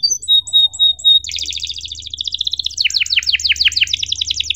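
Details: Tutor song for young canaries learning to sing, cuit-cuit emosi style: a few clear, spaced whistled notes, then a dense rapid trill breaking into fast, sweeping, downslurred chirps repeated several times a second.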